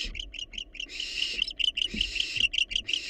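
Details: Short, clipped rasping notes come from wild barn owls inside a research nest box, at first spaced and chirp-like, then merging into sustained hissy screeches with rapid chittering bursts.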